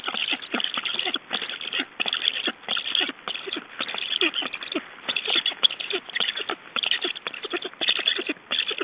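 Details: Black stork nestlings at a nest in Estonia during feeding, recorded 6 July 2012 at 19:51 in the evening: continuous harsh, raspy calls in rapid, overlapping bursts with many clicks and knocks.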